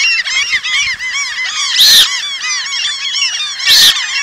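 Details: Eurasian coots, Asian population, calling as a dense flock: continuous overlapping nasal, arched honks, broken twice by loud, harsh bursts about two seconds apart.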